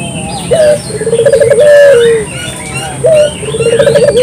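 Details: Local puter dove used to attract others: a short rising coo followed by a rapid rolling trill and a sustained note that slides downward, starting again after a pause, with distant chirps.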